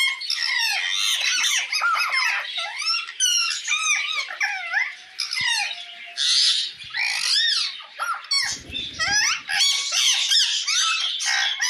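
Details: Chattering parrot calls directed at another parrot: a long run of squeaky, bending whistles and harsh squawks in short bursts with small gaps, plus a soft low rattle partway through.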